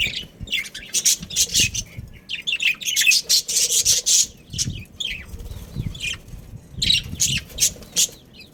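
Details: Pet budgie breeding pair, Australian parrots, giving a steady run of sharp chirps and scratchy squawks in quick clusters, some notes almost clicking, with light flapping-like rustles and faint low background noise.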